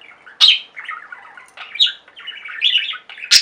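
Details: Flock of pet budgies singing and chirping: buzzy chattering warble broken by several sharp, loud squawky chirps at the start and end.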